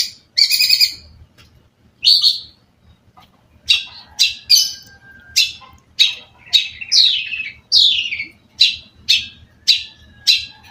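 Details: Long-tailed shrike in lively, full song: harsh buzzy bursts with a faint rumble beneath, then a brief pause, then a steady run of short downslurred scratchy notes repeated about every half second.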